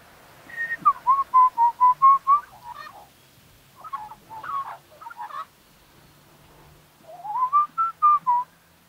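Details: Australian magpie in Australia giving clear whistled notes near the same pitch in a rapid run of about eight, then broken warbled phrases, and after a pause a rising, fluting series.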